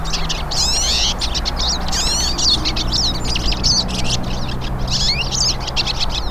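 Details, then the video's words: Several hooded siskins singing in the wild: a dense chorus of fast, high twittering and slurred whistled notes in overlapping bursts, over a steady low hum. "VÁRIAS PINTASSILGO CANTANDO NA NATUREZA"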